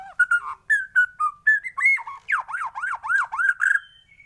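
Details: White-rumped shama morning song: melodious whistled notes at varied pitches, then five or six quick swooping, arched whistles, ending in a thin, steady tone.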